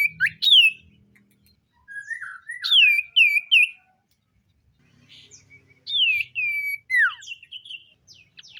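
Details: Common iora singing in the morning in captivity: clear rising whistles and wavering notes in short phrases separated by pauses, ending with a downward-sweeping whistle.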